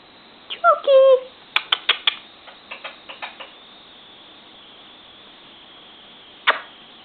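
An Indian ringneck parakeet gives a brief, odd, nasal warbling sound, followed by a run of sharp clicks and taps and one later loud knock.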